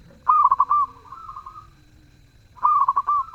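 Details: Melodious, actively singing zebra dove: a rapid stuttered run of mellow coos finishing on a sustained note, a fainter trailing coo after it, then the phrase starts again near the end.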